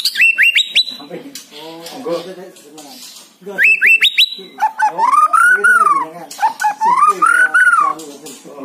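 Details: White-rumped shama song played to prompt a reluctant bird to sing: quick rising whistled triplets, then long arched melodious phrases repeated twice, with busy chattering notes in between.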